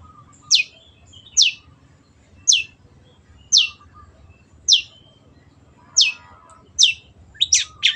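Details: Long-tailed shrike (cendet), loud clear 'gacor' singing. Sharp downslurred high notes are repeated roughly every second, eight or nine in all, closing with a quick double note. Soft low whistles and a faint murmur sit underneath.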